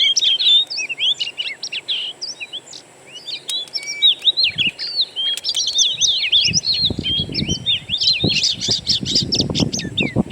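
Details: Oriental magpie-robin lure recording of natural birdsong, meant to trigger singing. A dense, rapid stream of high twittering chirps and whistles runs throughout, with low rumbling thuds in the second half.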